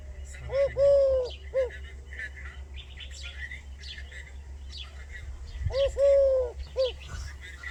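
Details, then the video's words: Wild bird whose call is heard as 'sidi rabbi': a three-note phrase of clear, arched mid-pitched notes, short-long-short, given twice about five seconds apart, over faint high chirps from other birds and a steady low hum. "صوت الطائر العجيب الذي يقول (سيدي ربي)"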